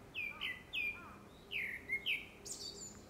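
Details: Grey-backed thrush in courtship song for a second breeding, by season: bright whistled notes that slide downward, delivered in quick pairs, ending in a high scratchy flourish, against a quiet background.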